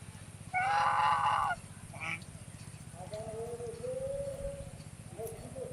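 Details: Swan calling: one loud, rich, nasal honk lasting about a second, then a brief note and a run of softer, lower drawn-out calls, with a constant low mechanical hum underneath.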